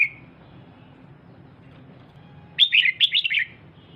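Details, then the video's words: Female red-whiskered bulbul calling excitedly to stimulate a male: after a quiet stretch, a quick run of bright, slurred chattering notes dropping in pitch, lasting about one second, with faint background hiss. "Chào Mào Mái DAM DANG Kích Trống Bắn Tùm Lum"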